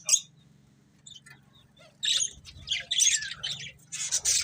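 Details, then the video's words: Pet budgerigar pair, a breeding pair, with a lone chirp then near silence before a second half of scratchy high warbles and squawks, low hum underneath. "Cute Budgies Chirping Sounds | Love Birds Breeding Pair"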